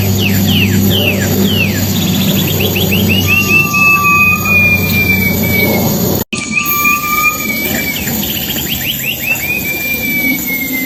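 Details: Wild silver-eared mesia song used as a lure: loud downward-sweeping notes in quick series, long level whistles and a lower whistle, repeated after a brief gap, with steady low drone behind.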